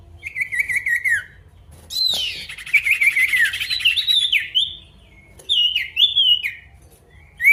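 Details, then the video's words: Male pied bush chat singing vigorously as if calling a rival: scratchy warbled phrases with wavering, slightly falling notes, delivered in bursts about a second long and separated by short pauses, over a faint low hum. "SIRTU GACOR MANGGIL LAWAN"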